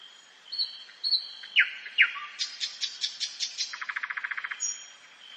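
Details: Nightingale song at night in woodland: short whistles and down-slurred notes give way to loud, rapid repeated clicks, ending in a fast, even trill of about a dozen notes. A faint constant high hum runs beneath.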